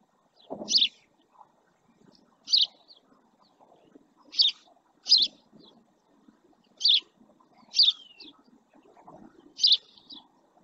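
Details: Repeated bright chirps from a male house sparrow perched by a camera in the Doñana marshland at El Rocío, Spain, given roughly every one to two seconds, some with a short trailing note; soft low clatter underneath.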